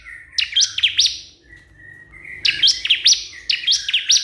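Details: Bar-winged prinia calling to a rival, giving rapid strings of bright, descending chirps in two bursts, with a soft, thin whistle between them and low background hum.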